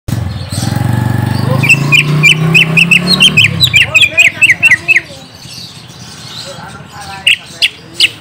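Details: Greater green leafbird lure song for drawing an answer from a young untamed bird: a fast run of sharp chirped notes near mid-high pitch, then scattered single chips, after low murmuring voices at the start.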